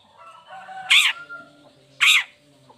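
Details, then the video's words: Long-tailed shrike (cendet) recorded as a lure to prompt lazy or moulting shrikes to sing: two loud, harsh, rasping bursts about a second apart over faint background chirps and a steady low hum. "Cendet Gacor Buka Krodong Pancingan Khusus Buat Cendet Loyo Malas Atau Lagi Mabung Agar tetap Bunyi"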